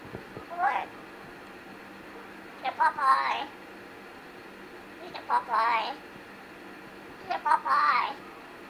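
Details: A pet black-capped lory practises saying his own name, repeating a short, wavering, voice-like phrase four times, about every two and a half seconds, in a quiet room.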